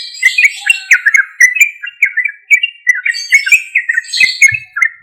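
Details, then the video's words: Loud, lively sooty-headed bulbul song played as a lure for other bulbuls; a steady run of short bubbly whistled phrases, several per second, with faint clicks in the background. "Suara Trucuk Gacor Keras MUJARAB untuk PANCINGAN trucuk Bahan atau Macet agar Langsung Respon"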